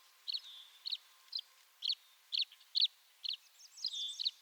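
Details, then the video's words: Tree swallow giving short, clear chirps at irregular intervals, some linked by a thin whistled tail, ending in a quick run of rising twittered notes. "Tree Swallow Call"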